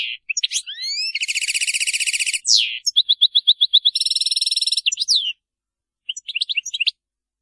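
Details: European goldfinch singing the Maliki song without faults: rising slurred whistles, a long harsh buzzing rattle, a row of clear repeated notes, a fast buzzy trill, and final scattered twitters.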